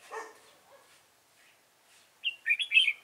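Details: Red-whiskered bulbul at a bulbul trap. A low, rough sound comes first, then a burst of four quick, warbled, liquid notes climbing and dipping near the end.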